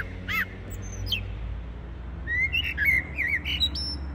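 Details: A starling perched in a tree in February (6 Feb 2023) sings a varied run of whistles, wheezy slurs and sharp chirps, some notes sliding up and down, over low steady background rumble.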